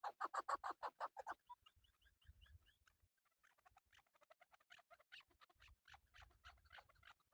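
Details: Male chukar partridge calling for hunting use: a fast run of about a dozen loud, harsh chucking notes in the first second, then softer, irregular clucks and chatter.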